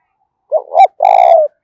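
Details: One close spotted dove coo meant to provoke fighting, 'thổ pha' voice style: a rising two-part opening, short pause, then a sustained buzzy coo that gently falls, lasting about half a second.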